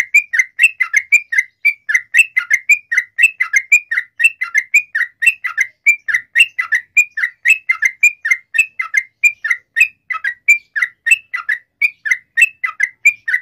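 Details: Long rapid-fire song of a sooty-headed bulbul, used as a lure to make other bulbuls sing back: a continuous, fast stream of bright chirped notes, about three to four a second, for the whole stretch.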